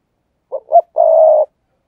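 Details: Decoy spotted dove, its thúc gù coo used to lure wild doves. A soft three-part phrase: two short low notes, then a long, level, mellow coo, with silence around it.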